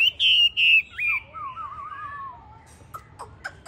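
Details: Hwamei with yellow legs, yellow bill and yellow plumage (tam hoàng) singing: two loud, clear, falling whistles, then a long wavering warbled phrase sliding lower, ending in short sharp clicks.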